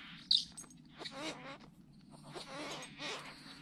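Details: Great Bowerbird displaying at Lake Bennett, Northern Territory, Australia, on 27-8-20: faint, harsh rasping and hissing bursts in several short outbursts, with a low steady hum underneath.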